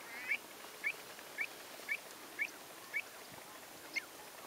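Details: Common shelducks, April 2014, giving brief, clipped, upward-inflected notes at a steady pace of nearly two per second, seven in all, against soft background noise.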